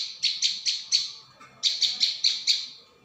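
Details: Two rattling bursts of high, sharp chip notes from a prinia, each about five notes long, used as a continuous lure call.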